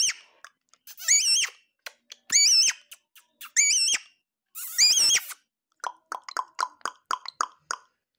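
A lory repeats the greeting "as-salamu alaykum" four times in high, wavering parrot tones, then ends with a run of quick, dry clicks and chatters.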